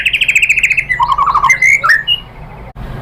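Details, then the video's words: White-rumped shama lure song meant to make other shamas answer: a fast buzzy trill, then a lower rolling trill, then scattered whistled slurs, ending in quiet. "OCEHAN MURAI BATU bikin NYAUT jadi EMOSI NYAUT GACOR BONGKAR MATERI ¦ PANCINGAN MURAI ¦ SHAMA BIRD"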